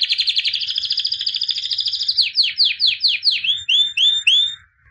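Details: An albino white canary, champion in 2017, sings a rapid rolling trill that slows into downward-swept chirps, ending in a few upward flicked whistles.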